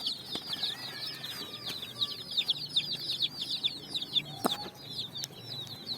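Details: Flock of colour-dyed chicks on sand in the evening, foraging for food: continuous rapid high piping cheeps overlapping in a steady chorus, with a single brief knock partway through.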